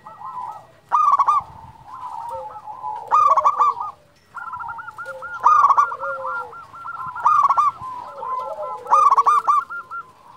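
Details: Champion zebra dove of local origin calling, used to coax reluctant doves into singing. Five strong, harsh cooing bursts spaced about two seconds apart sit over continuous looping coos from other doves.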